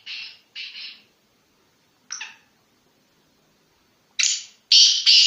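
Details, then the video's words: Black francolin of the Sindhi strain from Sanghar district, Sindh, giving harsh, grating bursts: a pair of short rasps, a single rasp after a pause, then three louder, longer buzzy notes in quick succession. The background is quiet. "Asal Sindhi nassal kala teetar"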